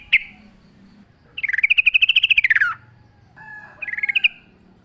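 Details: Sooty-headed bulbul pouring out a long rapid trill of clipped notes that arches up then falls away, opened by a single sharp note and closed by a softer burbling phrase.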